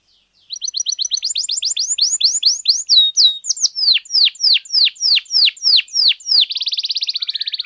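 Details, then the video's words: Canary in song, played to rouse other canaries: after a brief pause, quick rising chirps build into loud descending whistles about three per second, ending in a long buzzy rattle. "PANCINGAN KENARI GACOR DOR, PUTAR SEBENTAR AMPUH NAIKKAN EMOSI KENARI LANGSUNG GACOR"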